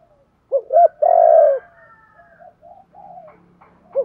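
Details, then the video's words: Spotted dove call for stimulating wild-caught birds: two quick rising coos then one long loud falling coo, followed by softer low coos and the start of another phrase. "Tiếng chim cu gáy kich bổi mới[ tiếng thúc . gáy gọi ] chim cu gáy giọng hạp bổi, giúp bổi mau lên"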